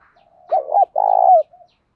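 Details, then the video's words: Spotted dove coo meant to stimulate other doves to call: a brief doubled husky phrase, then a sustained purring coo that drops off at its close, preceded by a faint low hum. "tieng cu gáy thúc va gay goi chim cu gay kich boi nhanh noi hiệu quả, cu đất gáy giọng hay, cu gáy"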